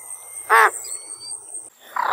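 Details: American white ibis giving a single loud, harsh, nasal honk of about a fifth of a second, followed by quiet and then the start of a second rasping note, with faint thin whistles from other birds behind.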